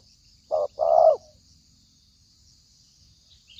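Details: Spotted dove used as a trapping lure: one brief low phrase, a short coo followed by a longer rough coo, then silence.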